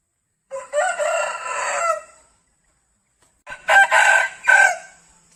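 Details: A rooster gives two loud, hoarse crows, the first long and drawn out, the second broken into rising and falling syllables; a realistic recording.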